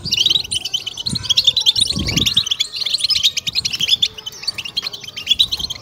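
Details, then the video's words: High, busy goldfinch twittering in the 'betbeta' stimulation style, brief sharp notes tumbling in quick bursts with a faint low thump near the middle. "أخر مكاين 📢في بتبتة الحسون🔥قيمة تحفيز و هيجان 💯"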